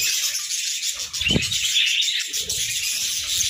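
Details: Cheerful pet budgerigars in the morning, a dense continuous warbling and chattering of several birds, high and scratchy, with a brief low thump near the middle.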